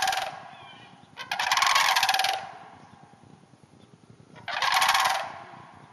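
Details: Wild sandhill cranes in a hayfield about half an hour north of the Twin Cities give a long rolling rattle, then another after a quiet pause of about two seconds.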